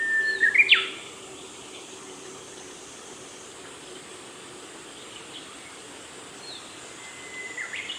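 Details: An Ashy minivet preening in a nature observation garden, 1 August 2020. A short burst of high, rising metallic notes is followed by quiet, then one more upslurred note near the end over a soft outdoor hiss.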